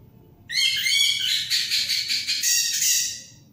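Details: Orange-headed thrush pouring out one continuous three-second burst of dense, rattling, fast-pulsed warbling, loud and sustained before fading, with a low background hum.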